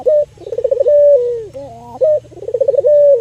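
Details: Local albino Barbary dove kept as a lure for other doves. It gives a quavering, pulsed roll that settles into a smooth, long, descending coo, with short higher chord-like notes between the phrases.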